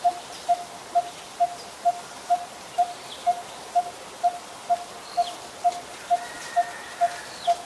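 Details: Coppersmith barbet recorded in Ubon Ratchathani, Thailand, on 1 February 2020, a very common resident there: clean, evenly spaced hollow tuk notes, roughly two a second, repeated without a break against faint background birds.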